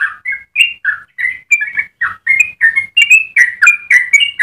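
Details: Yellow-vented bulbul in its long, rapid melodious song for tutoring and triggering other bulbuls: quick, chattering liquid notes, nearly four per second, gradually climbing higher toward the end, with faint low rumbling behind.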